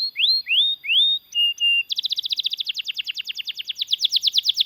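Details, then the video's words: Canary song used as a lure and tutor for other canaries: three rising whistled slurs and a flat note, followed by a fast, even, buzzy trill of repeated notes. "BURUNG KENARI GACOR NGEROL PANJANG UNTUK MASTERAN KENARI DAN PANCINGAN KENARI AGAR BUNYI GACOR"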